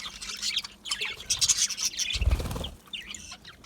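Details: Budgerigars kept in an aviary, small Australian parrots, twittering in a lively burst of high squeaky notes, then a loud low thump or rustle just after two seconds before softer chatter resumes.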